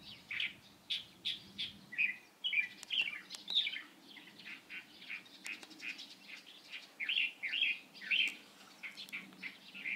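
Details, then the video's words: Light-vented bulbul recorded on 16 April 2023: a lively series of short, chirpy notes, some slurred and warbling, given in quick irregular bursts roughly twice a second, over a faint low hum. "검은이마 직박구리"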